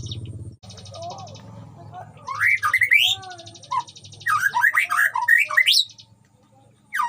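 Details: White-rumped shama kept in a colony cage among breeding birds, wild creatures around: varied song of rising whistled sweeps and slurred notes in two loud bursts, separated by quieter buzzy chatter, with a low hum beneath.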